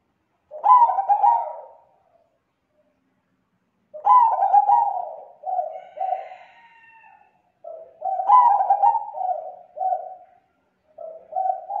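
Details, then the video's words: Zebra dove lure call, described as thick, clear and vocally active, used to draw in other zebra doves; three cooing phrases, each opening with stuttered notes and ending in soft repeated coos, several seconds apart in a quiet setting. "Suara Pikat Perkutut Suara Tebal Jernih Gacor sangat COCOK Buat Pancingan Perkutut Lain"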